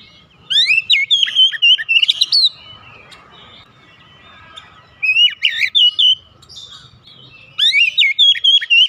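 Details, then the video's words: Oriental magpie-robin kept at home sings three bursts of fast, rich whistles mixed with sharp chips, separated by quieter stretches with faint background noise. "terapi cepat mengatasi Kacer rumahan susah bunyi lekas gacor"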